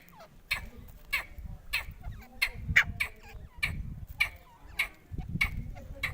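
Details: Partridge, called teetar locally, heard more distantly: sharp, scratchy call notes repeated roughly every half second over a steady low rumbling background noise.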